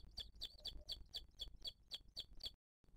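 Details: Booted eagle nest in 2023, seen live as the female feeds her chick amid attacks from other birds: about ten shrill, clipped chirps in quick, even succession over two and a half seconds, then a brief cut.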